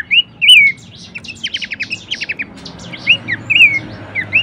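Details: Horsfield's babbler song for bird training: a loud looping whistle opens a quick series of short, steep chirps. Further rounded, rising-then-falling whistles follow at irregular intervals.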